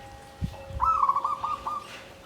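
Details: Caged zebra dove in a bamboo cage singing in the klabang kapipit, tumpang sari style (klarr kete kuk kuk): one rolling, bubbly trilled coo phrase of about one second, preceded by a few soft low thumps, with a steady faint background hum.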